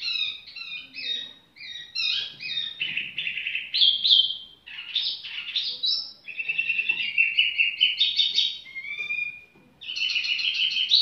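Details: Continuous varied warbling from a tiểu mi bird, with quick chirps, sweet slurred whistles and fast trilled passages shifting in pitch, with almost no breaks.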